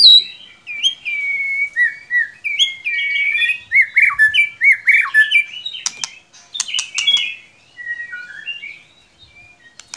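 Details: Varied white-rumped shama song meant to prompt a poorly singing shama: a long run of mellow whistled phrases, slurred up and down, followed by sharp clicking notes and softer trailing whistles.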